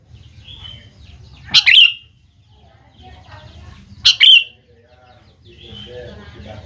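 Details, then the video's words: Sooty-headed bulbul singing as a lure for young birds: two loud, bubbly phrases roughly two and a half seconds apart, a thin whistle at the start and faint chirps near the end. "BURUNG KUTILANG GACOR | dijamin 100% nyaut GACOR kutilang muda anda"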